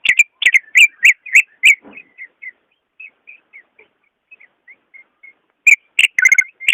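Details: Greater green leafbird song to encourage a lazy caged bird: rapid series of strong whistled notes, a quiet interlude of faint chirps, then renewed loud whistling.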